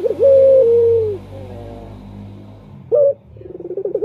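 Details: Male turtle dove call used as a lure for males: a long level coo sliding down, soft harmonic notes, a brief loud note, then rolling pulsed notes, over a low background hum.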